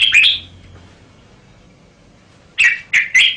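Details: Liquid warbled phrase from a red-whiskered bulbul, a long pause, then three quick punchy whistled notes in a row.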